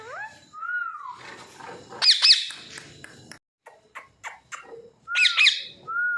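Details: Pet parrots kept at home for two years, four birds of which two talk clearly and two are learning; gliding whistled notes, then harsh high twin squawks, a burst of clicks and taps, and another loud squawk followed by a whistle.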